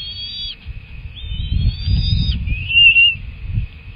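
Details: At a bald eagle nest during feeding with two young present, drawn-out high whistles end in a brief rising squeal, over low rustling and thumping.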